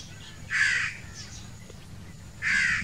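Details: Young crows demanding food: two long, hoarse, grating caws about two seconds apart, each lasting nearly half a second, over a quiet low rumble.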